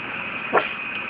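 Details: A female pet African grey parrot that barks at people she dislikes gives one short, harsh, dog-like bark, a copied sound, against steady background hiss.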